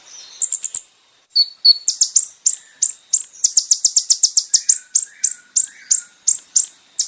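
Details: Olive-backed sunbird, known locally as kolibri ninja, in a training recording for caged birds, singing a lively series of high, sharp, downward-flicking chips repeated about four per second, with a few short whistled notes.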